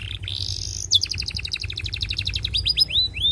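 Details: Long canary song for wooing a female, played to draw other canaries into singing; a rising whistled slur leads into a fast, even rolling trill of paired notes, ending with quick upward-flicked whistles.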